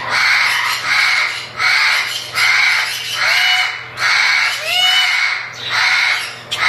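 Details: Caged breeding pair of chattering lories giving loud, harsh, drawn-out screeches, about one every second and a half, some with a short upward whistled slur, over a steady low electrical hum.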